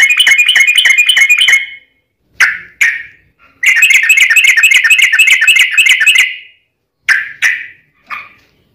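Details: Sooty-headed bulbul fighting song with long trills, used to provoke other bulbuls into answering; fast buzzy trilled bursts of repeated chattering notes, separated by short sharp single calls and brief silences.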